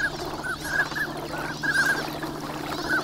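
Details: Wintering migrant ducks in a large flock at Nagahama, Lake Inawashiro, Japan, on a fine winter morning; short clipped mid-pitched calls follow one another in quick succession from many birds over a low steady rumble.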